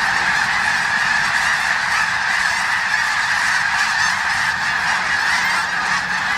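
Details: A huge flock of snow geese taking off at Bosque del Apache, clamoring all at once in a dense, unbroken wall of high, yelping honks over a low rushing roar.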